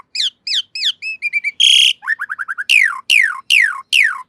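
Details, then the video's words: Master song of Asian pied starling for cage bird training, with quick paired whistles, a stuttering series of short notes, a harsh buzz, fast low chips, then four strong falling whistles. "Masteran Jalak Suren Anti Stress. Burung Pasti Nyaut"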